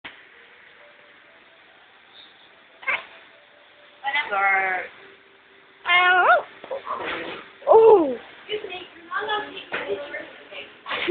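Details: Pet Amazon parrot indoors imitating speech, saying hello: scattered harmonic, wavering vocal bursts with bending pitch, a sharp downward-sliding note near the middle, interspersed with a person's voice prompting it to say hello.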